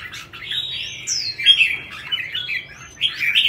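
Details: Caged red-whiskered bulbul singing a competition song: a run of warbling, rolling notes with a clear upward-then-falling whistled sweep, steady chatter throughout.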